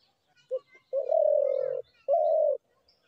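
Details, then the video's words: Spotted dove cooing: a brief low note, then two long, steady, mellow coos of similar pitch, the second a little shorter. The background is quiet, with only faint bird chirps. "ঘুঘু পাখির ডাক"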